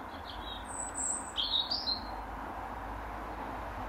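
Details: European robin in an apple tree sings three short, thin, very high phrases of quick sliding and twittering notes near dusk over a steady background hiss, his song claiming his territory.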